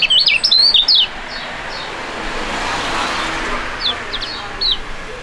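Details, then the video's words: Pair of young Indonesian songbirds singing in duet, fighting-type competition birds; a quick cluster of high zigzag chirps opens, followed by a broad noisy hiss and a few short chirp groups near the end. "STORING DUET PRUGUT DUA BURUNG MUDA YANG SANGAT ISTIMEWA"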